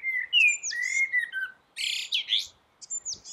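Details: Common blackbird singing from a rooftop: low, mellow fluted whistles around a steady pitch, then bursts of high, squeaky twittering that end each phrase, with short pauses between.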